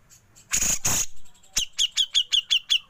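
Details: Grey-cheeked bulbul, 'besetan' into 'ngepik', songbird training material: two loud harsh rasps, then a steady series of about eight sharp, downslurred high notes close together.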